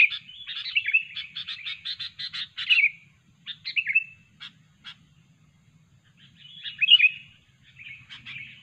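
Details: Sooty-headed bulbul, a fierce, chatty bird heard as a trapping lure: a burst of quick chattering notes mixed with bubbly whistles, then scattered single notes, a silent gap, and a final warbled whistled phrase.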